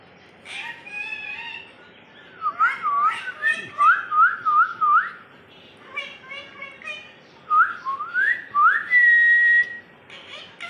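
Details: A pet talking parakeet gives a run of clipped, whistled, speech-like syllables, rising and falling in quick bursts, with a longer level whistle near the end.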